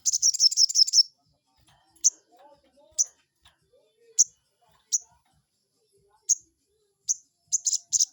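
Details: Crested jay sounds used to provoke a rival: a fast, high rattle of about a second, then a string of separate sharp high notes at uneven intervals, with faint soft lower chirps in the background.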